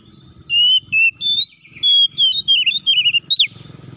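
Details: Oriental magpie-robin song aimed at stirring other magpie-robins to sing: clear whistled notes stepping up then warbling down, ending in a sharp swept note, over a soft low rumble.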